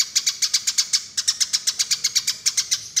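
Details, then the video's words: Eurasian tree sparrow fighting call, used as a lure: sharp, bright chirps repeated steadily about four per second for three seconds, with one brief break near the middle. "Suara Pikat Burung Gereja Tarung"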